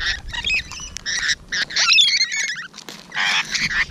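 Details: Close encounter with rainbow lorikeets, morning of 12 June 2017: grating, noisy screeches in short bursts, mixed with a run of quick, higher chattering squeaks in the middle.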